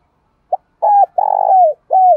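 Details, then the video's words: Decoy spotted dove cooing in the morning to call the flock: a short soft note, then a sustained coo, a long rolling purr that slides downward, and a final falling coo, all low and mellow, with no other sounds. "chim cu mồi gáy gọi bầy/ cu đất gáy gọi buổi sáng"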